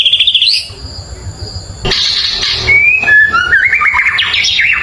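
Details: White-rumped shama song for provoking neighbouring birds: a short high trill, a pause, a burst of harsh buzzy sound, then rising whistles and a fast wavering warbled run.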